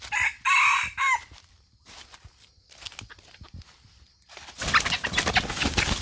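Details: Aceh red junglefowl recorded at Indrapuri: a loud, rasping crow of just over a second, then quiet clicks and taps, ending in a burst of rustling or handling noise.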